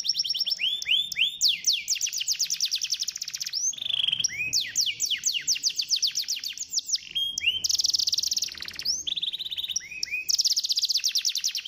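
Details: Canary song to stimulate a lazy canary: varied rolling trills, buzzy bursts and swooping whistles in quick succession, loud and nearly unbroken.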